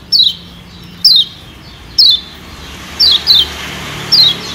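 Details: Lombok yellow white-eye, kecial kuning, lure to attract wild birds: clear, high, steeply descending whistled notes repeated about once a second, one pair close together.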